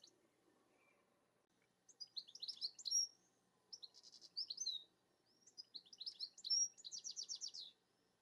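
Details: European goldfinch singing from the top of a rowan tree: three bursts of rapid, high twittering and tinkling notes with buzzy trills, separated by short pauses, starting after a quiet opening; faint low background hum.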